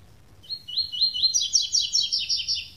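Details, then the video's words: Classic tui-tui song of a double-collared seedeater, lacking the third note. Three or four clear upslurred whistles lead into a rapid, rich series of ringing, slightly buzzy double notes over a quiet background. "Canto Coleiro Tui Tui Canto Clássico Sem 3ª Nota"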